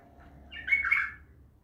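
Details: Untrained bulbul from Naft Khaneh giving a single short warbled phrase, rich and slightly rasping, rising in the middle and then fading, over faint low background hum.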